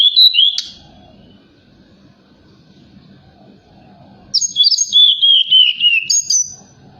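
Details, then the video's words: Forktail calling at night as a stimulating lure for other birds: a high whistled note opens, a long quiet gap follows, then a run of shrill, falling whistles and clipped high notes. "Tledekan Gunung Gacor Malam || Suara Pancingan"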